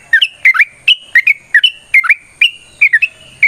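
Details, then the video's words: Fighting song of a yellow-vented bulbul, used as a lure to make other bulbuls answer: short bursts of two or three gurgling, upslurred notes every half second, with a faint high whine. "TRUCUKAN GACOR TARUNG ROPEL PANJANG Pancingan trucukan Agar Bunyi Jadikan Burung Trucuk Gacor Nyaut"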